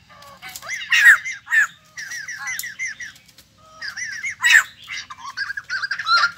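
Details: Newly obtained wild-caught white-crested laughingthrush in captivity: loud, harsh cackling bursts and grating chatter, broken by a short silence before another rush of rasping, laughing notes.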